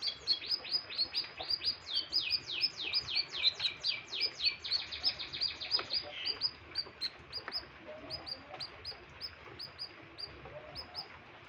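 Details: Canary in heavy breeding condition pours out fast repeated high descending sweeps for about six seconds, changing syllable type midway, then softer scattered notes for the remainder.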